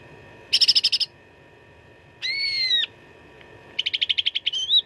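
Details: Cucak ranting singing its contest-style fighting song with varied fill: a burst of fast staccato notes, a long arched whistle, then another quick chattered series ending in a short upslurred whistle.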